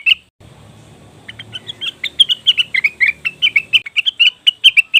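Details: Cucak wilis or rengganis leafbird, a lure recording to draw wild birds: a fast run of bright, sharp chirps around the upper mid range, loosely repeated, starting after a short low rumble that fades out.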